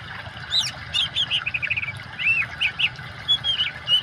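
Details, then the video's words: Oriental magpie-robin singing varied whistled phrases, short rising and falling notes and rapid trills at a brisk pace, combined with the sound of running water, a low steady rush beneath the song. "kacer gacor kombinasi suara air cocok buat terapi burung macet"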